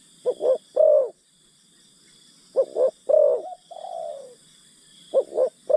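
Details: Spotted dove used as a decoy to lure wild birds in the forest: soft, hollow coos, a quick double note followed by a longer mellow coo, repeated about every two and a half seconds, with a steady high insect hum behind.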